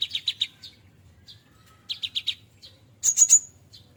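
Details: Cinereous tit raised by hand from a nestling, singing full-fill style: quick groups of four sharp, high notes repeated twice, then a thin, very high whistled trill, against a quiet background.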